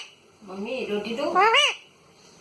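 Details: Pet parrot talking indoors, voice repeating a short Hindi phrase in rising and falling harmonic syllables, with a loud arched burst near the end, then quiet.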